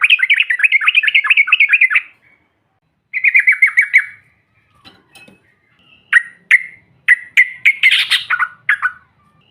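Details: Yellow-vented bulbul calling to provoke other birds: a fast rattling chatter, a shorter descending burst after a pause, then scattered emphatic single notes and brief squeaky clusters.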